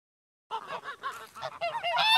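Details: Farm goose honking in a rapid, continuous run of nasal, trumpeting notes that rise and fall, growing louder and more strident toward the end.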